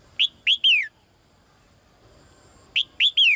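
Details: Female songbird kept in a cage, calling to the male: two bursts of three loud, high, downward-sweeping chirps, the last of each set slurring lower, separated by nearly two seconds of quiet.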